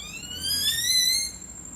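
A Great-tailed Grackle gives one squeaky, rising whistle, rich and metallic, lasting just over a second, with a faint hiss behind it.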